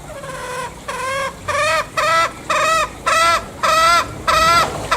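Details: Green junglefowl from Bali giving about nine nasal, harmonic-rich notes, each slightly arched in pitch and roughly half a second apart, in a steady rhythmic series against a quiet background.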